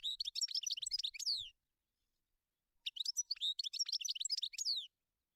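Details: Wild European goldfinch singing in nature: two bright, rapid bursts of tinkling, twittering notes with buzzy downslurred elements, each about one and a half seconds long, separated by a pause of over a second. No other sounds.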